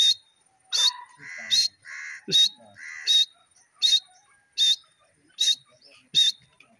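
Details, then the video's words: Pet Grey francolin in captivity giving a rhythmic series of loud, piercing high whistled notes, about eight in regular succession, mixed early with nasal drawn notes, over a quiet background. "irani teeter ki awaz,the beautiful voice of my pheasant"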